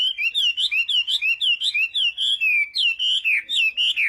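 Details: Singing hwamei of China in a morning contest session: clear wavering whistles repeated in a fast, even rhythm of roughly two a second, the later phrases slightly higher and more swooping.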